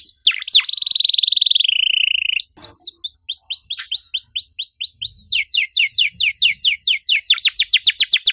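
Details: Canary bait song meant to get a quiet bird singing: a rising note, then a steady buzzy trill held about two seconds, a brief gap, soft repeated upswept whistles, and finally a run of loud, rapid descending chirps.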